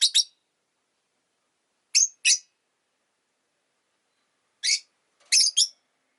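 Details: Rosy-faced lovebird giving sharp, scratchy high chirps, mostly in pairs, separated by gaps of about two seconds, in an otherwise quiet setting.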